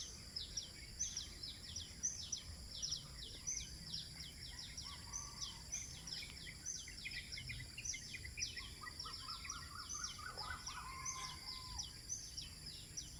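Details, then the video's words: Birds singing at sunrise in Eco Park 1, Bandar Seri Botani, Ipoh, Malaysia: a dense chorus of rapid, high, falling chirps repeated throughout. Lower whistled phrases come around the middle and near the end, over a steady high-pitched drone. "nature & birds singing"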